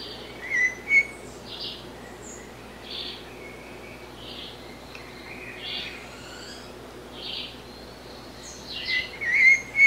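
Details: Blue-bellied parrot, known in Brazil as sabiá-cica; high warbled notes around the upper range come in short bursts at the start and end, with fainter blurred calls between, over a quiet steady background hum.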